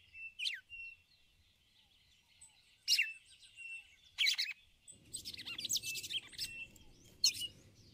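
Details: Female red-cowled cardinal calling to excite the male, ticulau style: a series of sharp falling chirps and buzzy bursts over eight seconds, joined midway by a low rumbling noise and faint background birds.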